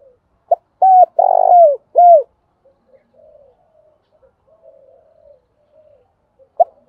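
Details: Spotted dove in thúc bổi and calling coo: a crisp phrase of short note, flat coo, buzzy rolled coo and falling final coo, followed by faint murmuring and the start of another phrase.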